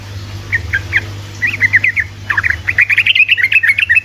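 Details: Sooty-headed bulbul singing vigorously in a rapid, continuous style, used as a lure to prompt lazy bulbuls to sing: short bubbly chortled notes, sparse at first, then a dense run of quick phrases, over a steady low hum.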